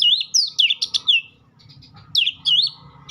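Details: White-rumped shama giving quick whistled, swooping notes in two short bursts, with a low background hum in the pause.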